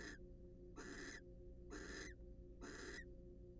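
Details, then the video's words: Courting wild barn owls preening together in a nest box produce grating hissy rasps, four bursts spaced under a second apart, the first cut short. A steady low-pitched hum continues throughout. "Barn Owls Share A Special Moment During Their Preening And Court Session."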